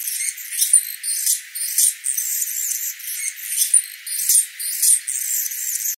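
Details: Anna's Hummingbird, a West Coast resident, giving its prolonged, insect-like buzzing and squeaking song: a high, scratchy string of buzzes and thin squeaks, bursts repeating roughly every half second to second.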